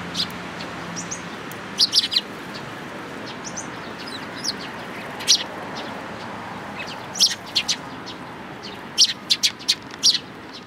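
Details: Sparrows flocking to food at a Tenmangu shrine, 11 April 2018, with lively repeated high chirps, some twittered in quick runs, busiest near the end, over a low steady hum.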